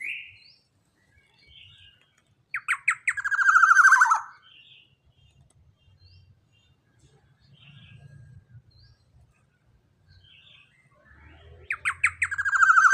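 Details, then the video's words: Loud-voiced young black-naped oriole, a big-bodied bird whose calls serve to train other captive birds: bursts of rising, buzzy, nasal notes that run into a drawn-out harsh phrase, long quiet gaps, then the rising notes return. "Pancingan Suara KEPODANG Emas Muda Body JUMBO BESAR suara LANTANG"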